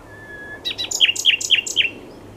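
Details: Common nightingale singing: a thin steady whistle, then a series of about six rich, down-slurred notes repeated rapidly, each with a bright upper overtone.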